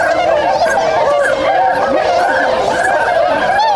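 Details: Swans waking at a wintering site in Inzai, Chiba, Japan, 16 January 2022; a busy honking chorus with several rising and falling curved calls heard clearly above it.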